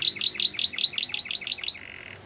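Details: Belgian canary song for training young canaries: about ten bright, evenly spaced chirped notes slightly quickening, closing with a soft low buzz.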